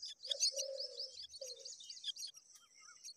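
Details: Myna chicks being fed repeatedly by a parent give a rapid burst of harsh, high chattering begging calls over about two seconds, with a few low hoarse notes underneath.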